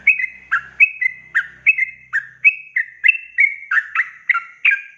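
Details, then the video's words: Rapid 'ropel panjang' singing by a yellow-vented bulbul, meant to get raw and young birds singing; evenly spaced, bright bubbling notes sliding downward, with faint low knocking sounds at the start. "Trucukan gacor ROPEL PANJANG ini BIKIN burung trucuk BAHAN, BAKALAN, MUDA GACOR"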